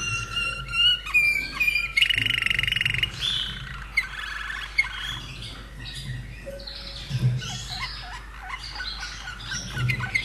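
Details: Common nightingale held by an Austrian keeper, bird dating from 2011, delivers varied song phrases: clipped trills, buzzy rattles and sharp whistled notes in quick succession, separated by short pauses, with a low hum behind.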